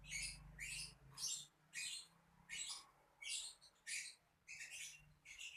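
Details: Lovebird giving sharp, high chirps in short bursts, roughly one and a half per second, with uneven spacing, over a low background hum.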